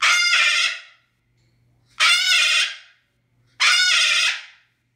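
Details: Domestic Moluccan cockatoo shown to reveal how loud parrots get: three intense, grating screams, each nearly a second long, spaced about two seconds apart with silence between.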